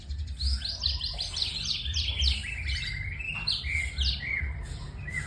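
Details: Rich, varied song of a White-rumped shama: dense cascades of falling whistles, rising slurred phrases and warbled notes flowing almost without break, over a persistent low hum.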